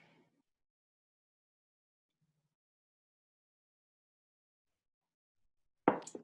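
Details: Near silence with a faint murmur at the start and a sudden sharp knock near the end.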